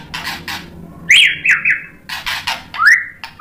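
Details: White-rumped shama singing to provoke rival shamas: harsh, noisy chattering bursts alternate with clear whistled notes that rise and then level off, delivered in quick, energetic succession.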